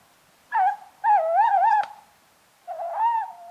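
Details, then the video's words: A Tawny owl, Strix aluco, gives haunting calls: a short hoot, then a long, warbling, quavering hoot, a brief click, and after a pause another wobbling hoot. Faint background hiss. "The haunting sounds of Tawny owls"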